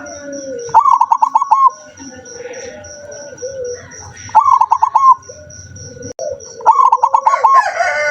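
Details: Zebra dove, said to sing seldom, recorded 7 November 2023: three bursts of rapid, rattling staccato coos, each about a second long, separated by quieter low wavering coos, with a constant pulsing high background tone.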